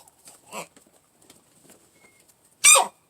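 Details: Laying hen just over eight months old, one of eight kept together, sneezing while eating at a feeding trough: a single sharp, hissing broadband burst after soft scratchy pecking and faint taps.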